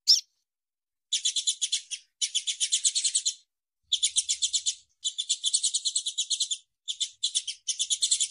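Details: A female Double-collared seedeater repeats bursts of fast, high, buzzy trills, each lasting about a second, with short pauses between them. The calls are used to stimulate males to sing.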